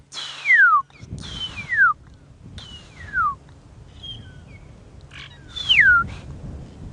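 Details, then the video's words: Magpie shrikes calling at sunrise on an African morning safari drive in August: four clear, fluty whistles, each sliding steeply downward, one to three seconds apart over soft rustling. "And in the background, you can hear the magpie shrikes calling. And the"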